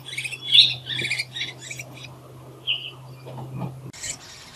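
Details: Nestling willie wagtails around twelve days old vocalising and begging for food as they prepare to fly; rapid clusters of harsh, high chirps, a short pause, then another burst of raspy squeaks, with a constant low hum underneath.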